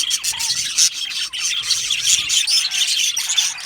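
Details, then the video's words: Happy budgerigars chattering together in a colony, rapid bright chirps and harsh squawky notes piled densely over one another without pause. "Happy Budgies Sounds | Budgies Chirping Sounds | happy Budgie sounds for lonely Budgie birds"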